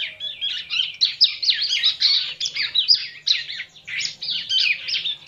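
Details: Hand-reared, tame bar-winged prinia in a continuous run of rapid, scratchy high chirps, tightly packed and varying slightly in pitch throughout.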